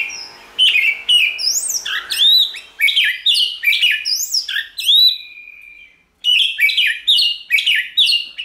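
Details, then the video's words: Song of a White-rumped shama, used to stimulate a shama to sing: rich, fast sequences of looping whistles, sharp upsweeps and chattering notes, broken by a long level whistle and a brief silence before resuming. "Kích Chòe lửa hót nhiều giọng, Hót Căng lửa,chòe lửa đánh đuôi kích cực nhạy.luyện chòe lửa hót"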